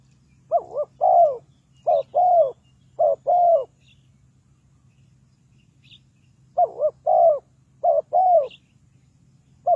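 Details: Spotted dove cooing while used to lure birds into a trap. It gives repeated paired phrases, a short wavering coo then a longer slurred falling coo, in bursts of three phrases, with a low steady hum and a few faint high chirps.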